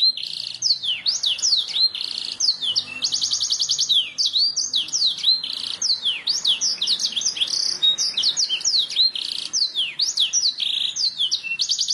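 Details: Canary performing a master song to stimulate other birds: long unbroken sequence of swooping slurred whistles and chirps, interspersed with short fast trills, delivered without pause.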